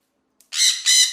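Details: A parrot gives two harsh, loud squawks in quick succession, broad and grating, with a short pause between them.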